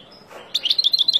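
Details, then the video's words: Short burst of wild European goldfinch song, meant for teaching young birds: after a brief quiet start, rapid clear tinkling chirps repeat about ten times a second. "تغريد طائر الحسون البري لتعليم فراخ"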